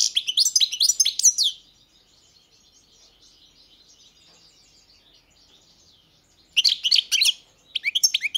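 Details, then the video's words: Goldfinch twittering song opens the recording, followed by several seconds of only a faint, soft background chatter. Two more bursts of bright, rapid chips come near the end. "Pesma štiglića"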